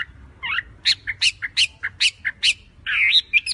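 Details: Oriental magpie-robin, called wambi locally, a compilation of birds including a small local type and females calling to males: a run of sharp repeated chirps roughly every 0.2 seconds, bracketed by rising whistled notes, with faint low hum beneath.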